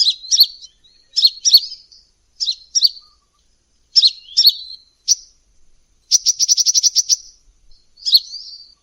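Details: Energetic sunbird lure calls: repeated pairs of high, slurred squeaky chirps for several seconds, then a rapid dry trill of about a dozen even ticks, closing with one more chirp phrase.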